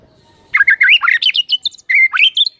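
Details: White-rumped shama song used as a morning lure to make birds sing: loud, rapid, jumbled whistles leaping up and down in pitch, a brief pause, then a further twisting whistled phrase.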